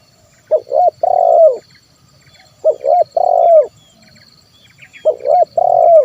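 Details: Spotted dove singing its 'kuk 1' coo for luring wild birds. Three phrases of two short hoots and a long rolling coo come at about two-second intervals, with faint chirps from other birds in the background.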